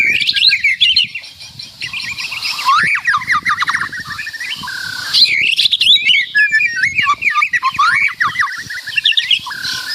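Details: Energetic white-rumped shama song, loud and full of varied material: dense runs of sharp chirps and steep whistled sweeps, a few held notes, phrases following one another quickly over ten seconds.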